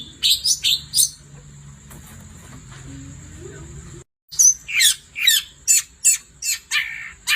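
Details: Long-tailed shrike at night, in full song: a few sharp high notes, then a long steady shrill whine and a short cut of silence, followed by a fast series of harsh, dropping squawky notes.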